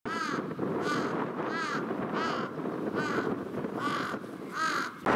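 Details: Common gull (Larus canus) at Cape Sumisaki or Cape Sukoton, Rebun Island, Hokkaido, on 24 June 2019, gives harsh, slightly arched mewing calls, about seven in five seconds, over a steady roar of wind and surf.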